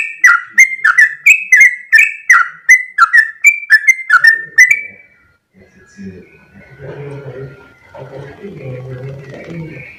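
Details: Sooty-headed bulbul pouring out a long rapid 'ropel' song of bright slurred whistles for about five seconds, then the song stops and low indistinct voices or rumbling take over.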